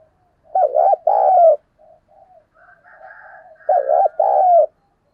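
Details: Spotted dove decoy calling to lure wild doves, repeating its phrase twice, each a wavering double coo plus a long coo, separated by quieter scattered murmured notes.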